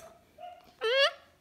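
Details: Pet cockatoo mimicking a dog's bark indoors: one short, loud, harsh harmonic bark rising slightly, preceded by faint tonal sounds and a person speaking and chanting about dancing.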